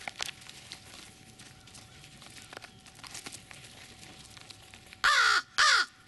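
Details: Crows in Chatham-Kent recorded close up: after a stretch of low rustling background noise, two loud harsh descending caws ring out about half a second apart near the end.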